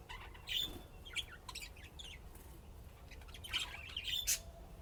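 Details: Pet budgerigars playing and chirping, with scattered short high chirps and squawks between quiet gaps.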